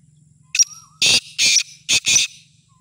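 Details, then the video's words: Black francolin offered for sale, giving its full call: one short sharp note, then four loud, harsh, grating bursts in quick succession, with a low steady hum and a faint whistle underneath. "Kala Teetar Ghangas Full Awaaz wala"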